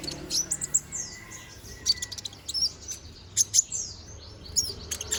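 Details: Konin bird, young and bald while its feathers grow, giving a high, scratchy twittering song of short chirps in small clusters with brief pauses, against a soft hiss.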